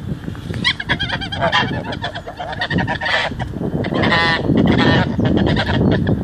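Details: Geese on a Wednesday morning give nasal, harmonic honks in irregular bursts, several overlapping, over a steady low rumble of wind and distant traffic.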